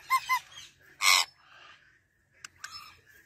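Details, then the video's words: Male rose-ringed parakeet from Pakistan talking in Urdu or Hindi: two quick nasal harmonic notes, a loud harsh burst, then faint rasping syllables and two sharp clicks. "Ra Parrot Talking"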